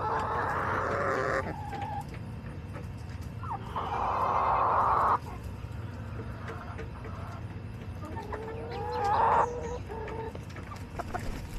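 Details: Backyard chickens kept for homesteading: bursts of loud, rough cackling clucks separated by quieter gaps, with short tonal calls and a steady low hum.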